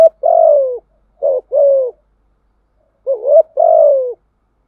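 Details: Spotted dove cooing in thổ voice style for luring wild doves: a long falling coo, a short two-part phrase, a pause, then a rising hoot and drawn-out descending coo, all low and mellow.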